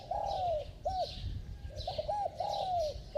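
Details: Spotted dove with a bell-like voice, cooing fast: low, hollow, tonal coos in a run, a drawn-out slurred note, then short clipped notes and another long falling coo, with faint higher chirping in the background.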